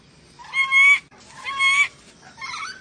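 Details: Sulawesi ornate lorikeet producing two loud, nasal, grating squawks with a steady ringing tone inside, followed by a softer chattering note.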